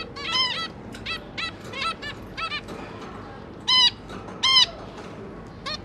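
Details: Zebra finches on 5 September 2022, a pair of parents feeding three juvenile babies: loud, nasal, trumpet-like beeps in short bursts, about eighty per minute at uneven spacing, two especially strong calls near the end, over faint hum.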